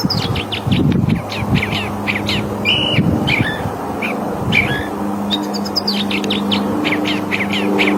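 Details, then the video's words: California thrasher singing: a varied run of short whistled and chirped phrases, each note different, delivered rapidly for the whole stretch over a steady low rumble of background noise. "Suara Kicauan Burung Thrasher California"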